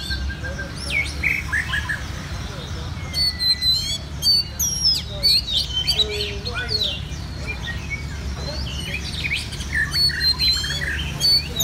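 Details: Red-whiskered bulbuls competing in a singing contest in central Vietnam: bursts of loud, clear whistled phrases and chirps from several birds, brief pauses between flurries, faint human voices and low background rumble.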